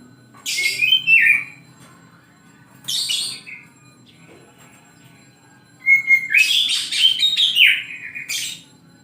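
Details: Oriental magpie-robin singing in the morning, giving short bursts of whistled and scratchy notes separated by pauses of several seconds, the last phrase longest and most varied.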